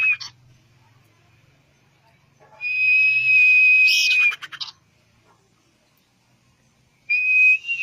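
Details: Common iora song meant to make a bird sing: a long flat high whistle ending in a buzzy flourish, with another sustained whistle starting near the end and a faint low hum beneath.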